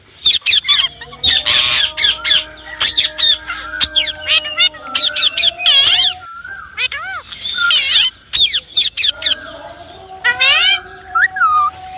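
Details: Indian ringneck parrot screeching almost nonstop in loud, grating bursts, with a few bending whistled notes mixed in and a low steady hum below.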